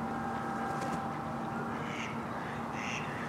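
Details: Adult male and female mallards at Domaine Maizerets, 27 March 2018, giving two separate raspy quacks about a second apart over a continuous low mechanical hum.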